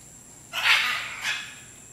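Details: Scarlet macaw, one of 24 released birds flying free in the jungle at Manuel Antonio, Costa Rica, giving two harsh, raspy squawks: a long grating screech, then a shorter one, over quiet background hiss.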